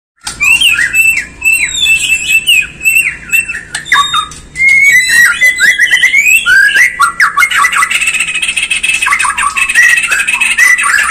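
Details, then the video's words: White-rumped shama song used to provoke other birds to sing and become agitated: loud, dense run of varied whistles, sliding phrases and harsh chattering notes, continuous throughout with sharp clicks mixed in. "Pancingan Murai Batu Agar Bunyi Dan Emosi"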